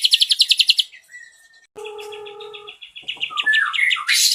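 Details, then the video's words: Ashy drongo in a songbird tutor recording, 'nembak cililin' style. It opens with a rapid high pulsed trill, then gives a lower steady whistle with stacked tones. A faster rising, twittering run of notes closes the phrase. "MASTERAN BURUNG SRIGUNTING ABU ABU MEWAH NEMBAK CILILIN 10 DETIK"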